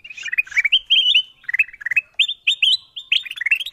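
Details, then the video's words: Lure sound of the kutilang emas bulbul for calling in wild birds: clear, liquid whistled phrases of stepped, slurred notes, delivered in short groups roughly every second in a quiet setting. "Suara pikat kutilang emas memanggil burung liar paling ampuh dan paling di cari"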